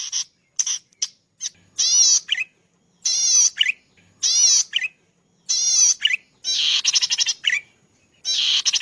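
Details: Master recording of zitting cisticola (cici padi, prenjak padi) for cage-bird training: opening ticks, then a series of grating buzzy notes with descending tails, closing with pulsed stuttering bursts.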